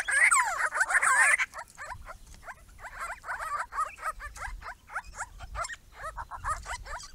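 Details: A small group of Grey-crowned Babblers visiting a backyard pond: a loud harsh squealing chorus opens, followed by steady rapid chattering of short downslurred notes from several birds.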